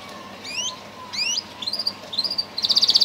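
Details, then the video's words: Bred singing canary offers spaced rising double whistles that gradually shorten and climb, ending in a quick bright trill. "List of Song canaries singing : Bred for their sweet Canary singing ability"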